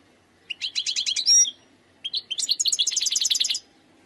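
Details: Wild European goldfinch singing two fast bursts of bright, tinkling twitters and buzzy trills, high-pitched and liquid, with a brief pause between phrases.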